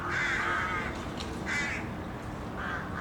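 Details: Crows in an urban setting: three rasping caws, the first longest, spaced about a second apart over dull city background noise.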